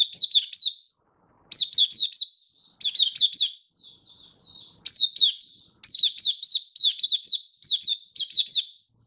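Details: Oriental white-eye (mata puteh) in a long display song: bursts of three to six rapid, high, slurred chirps separated by brief pauses, with softer warbled notes between.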